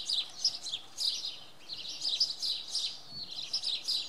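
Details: At Oksywie on a Monday morning, a common redstart delivers rapid, high twittering phrases with bright squeaky notes, closely strung together with only short pauses.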